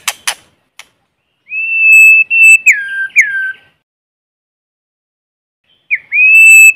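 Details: White-rumped shama in forest, a lure bird singing to stimulate newly caught birds: a few sharp clicks, then long clear whistles that hold steady and drop. A short gap follows before another rising whistle.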